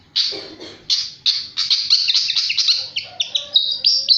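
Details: Flycatcher singing energetically, a rapid string of bright high chirps and short trilled notes with some lower harsher notes at the start, delivered almost without pause.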